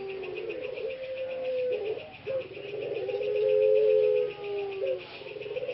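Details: Ringneck dove (puter pelung), a caged breeding male from Central Java, Indonesia, whose voice turned hoarse after long confinement and is now recovering: a drawn-out coo, short broken notes, then another long wavering coo, against continuous rhythmic insect-like pulses.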